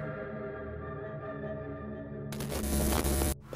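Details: Sustained droning ambient music tones hold steady, then a loud burst of broadband noise takes over before cutting out; no animal sounds are heard.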